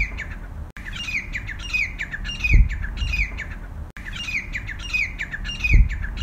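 A grey francolin gives a rapid run of harsh, ringing notes, about five a second. The sequence repeats after three seconds, with a low rumble underneath.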